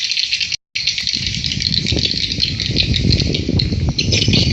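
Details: Swiftlets at a swiftlet house, steady dense high-pitched chirping chorus with a rattling, buzzy texture, a brief dropout early on, and low rumbling underneath.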